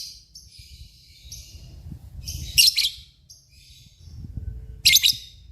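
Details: Lovebird, recorded as ngekek panjang singing for training murai and kacer birds, giving two short, loud, grating chirp bursts about two seconds apart amid quiet high twittering.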